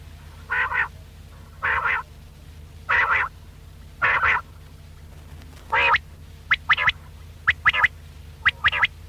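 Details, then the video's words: Quail call used as a hunting lure: harsh, buzzy bursts about a third of a second long, repeated roughly once a second, then shorter clipped notes in quick pairs and triplets. A low steady hum runs beneath. "Batair ka Bulara | VOL 66 | Quail Voice"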